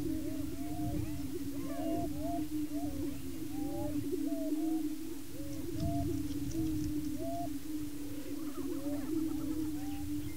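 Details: Male Greater Prairie Chickens display and fight for breeding territory on a Washington County, Kansas lek; a constant low booming drone carries repeated short rising whoops and chattering cackles from many birds at once.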